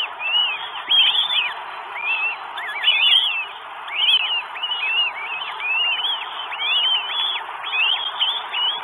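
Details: Northern goshawk recorded in Estonia, 12 May 2022, as food is brought in: overlapping, slurred, arched calls come in quick bursts with short gaps, giving a steady, insistent wailing chorus.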